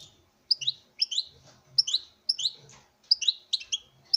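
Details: Caged male European goldfinch singing before a female in a breeding setup: paired bright chirps and twittering slurs, about two per second in short clusters, with soft low sounds behind.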